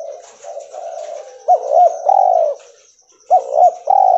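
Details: Albino spotted dove, a white mutation bird, cooing: a low rolling preamble followed by two quick rising notes and a longer drawn-out coo, repeated twice; a faint high hiss runs throughout.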